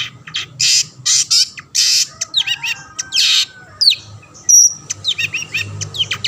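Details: Long-tailed shrike singing actively, a song meant to lure other shrikes into singing: harsh buzzy bursts alternating with sharp upslurred and downslurred whistles, some notes rising steeply, with a faint low hum beneath.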